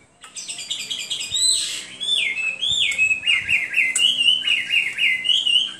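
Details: Singing hwamei delivers rapid whistled notes, first high and choppy, then a series of looping, rising-and-falling phrases repeated in quick succession, clear and strong throughout.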